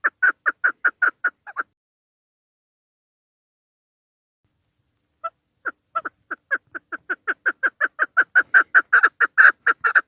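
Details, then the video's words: Female Chukar call for hunting lures: a quick burst of clucking notes, a pause of several seconds, then a rising run of chuk notes growing faster and louder. "Овози модкабки шикори барои шикор, Dişi keklik sesi, صدای کبک ماده برای شکار، صوت الحجل الانثی طویل"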